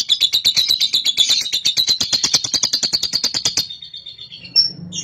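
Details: Ngekek from a young cobalt lovebird, used to get other lovebirds to ngekek: a rapid, regular, buzzy pulsed trill lasting over three seconds, then quiet with a single high squeak.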